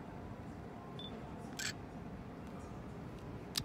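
Two sharp camera-shutter clicks over a steady low background rumble, with no clear animal voice.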